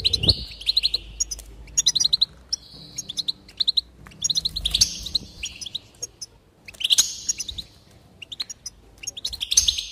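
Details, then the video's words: Goldfinch pouring out twittering chirp series and wheezy buzzes, phrases coming in quick succession, with a few louder harsh notes and faint low rumble beneath. "increase the enthusiasm of the goldfinch and encourage it to song"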